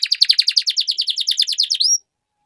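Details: Canary trill used to set silent canaries singing again: a rapid, rolling buzzy series of high notes, about eight per second, finishing with a single rising whistle.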